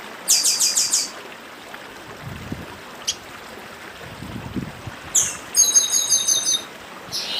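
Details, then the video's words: Northeastern chestnut-bellied seed finch with stream noise: a rapid series of about five sharp high notes, a pause with faint water and low knocks, then another fast run of bright repeated whistles. "Papa Arroz Dedim com Som de Riacho (Papa arroz do Nordeste)"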